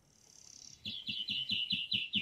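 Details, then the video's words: European greenfinch song: a thin high drawn-out note followed by a run of seven rapid, evenly spaced chirped trill notes. "Как поёт зеленушка. Голос и пение."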